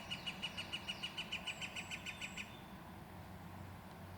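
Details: Northern flicker inside a pileated woodpecker nest: a faint, quick series of high, evenly spaced notes that lasts about two and a half seconds, then fades into low background rumble.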